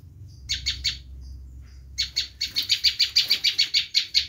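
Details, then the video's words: Bar-winged prinia giving a screaming call meant to lure wild prinias. Three rasping notes are followed by a pause, then a fast, steady run of loud, harsh, buzzy notes, about three per second. "Suara asli prenjak lumut menjerit || sangat ampuh buat mikar"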